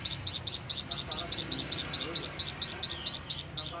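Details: Flamboyan bird calling to companions or rivals: a continuous, steady series of about fifteen sharp, high chirps, roughly four per second, with no break.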